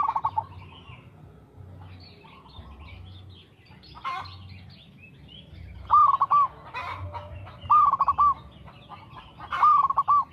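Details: Zebra dove, a local perkutut, giving clear cooing phrases of a hooked note plus quick pulse trill, three phrases in the second half, after a quieter stretch of scattered chirps from other birds.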